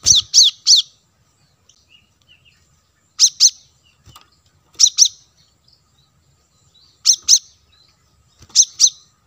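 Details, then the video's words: Lure audio of a plain-throated sunbird: short clusters of two or three piercing high chips repeated every couple of seconds over near silence. "suara pancingan kolibri kelapa"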